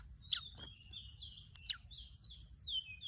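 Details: Orange-breasted, white-bellied flycatcher song used as a lure: thin, high whistled notes and short downslurred phrases, with a bright rising-falling whistle near the end and a few sharp clicks.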